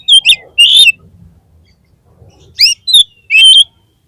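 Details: Oriental magpie-robin (kacer) lure song, played to lift the spirit of a kacer whose drive has dropped: two bursts of loud, sharp whistled and scratchy notes, a quiet pause, then three more rising, slurred phrases.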